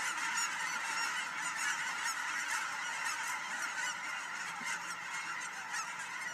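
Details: Geese departing at William L Finley National Wildlife Refuge, many birds honking at once; repeated nasal honks pulse out roughly twice per second over a steady background of overlapping calls.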